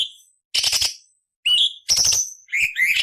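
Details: ['A short stretch of cucak cungkok training song for murai, cucak ijo and kacer: one whistled note, a harsh rasping burst, then further whistles and buzzy rasps.']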